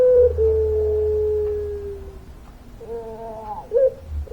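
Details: A puter pelung dove holds one long, smooth coo for about two seconds that slowly sinks in pitch, then adds softer wavering notes.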